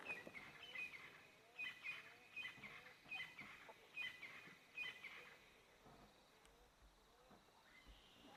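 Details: Crested francolins give loud, scratchy, rattling phrases roughly every second for about five seconds before fading, over faint rural noise, near a water hole at sunset on Rietspruit Game Reserve, Lowveld, South Africa, 28 May 2024.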